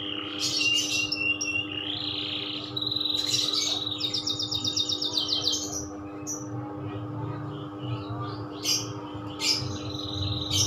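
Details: Canary singing in the loper style: bursts of bright chirps and fast buzzy trills high in pitch, broken by short pauses, over a steady low electrical hum.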